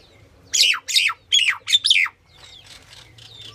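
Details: Female common myna calling: four loud, harsh, rasping notes, each sweeping downward, given in quick succession, followed by a quieter, softer stretch of chatter.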